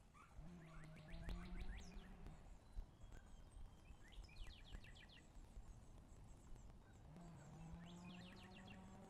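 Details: Red-shouldered hawks at their nest in Wake Forest on 11 April 2023, midday; bursts of rapid, downward-slurring high calls come in three groups, with a low tonal hum and scattered clicks behind.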